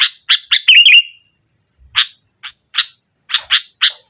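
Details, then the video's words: Sooty-headed bulbul in full, lively song, pressing a rival and used to lure a silent bulbul: harsh, buzzy chattering notes, then a warbling rolled phrase, a pause, and more spaced scratchy notes. "Suara Burung Kutilang Gacor Menekan Lawan NGGARUDA, Pancingan Kutilang Mogok"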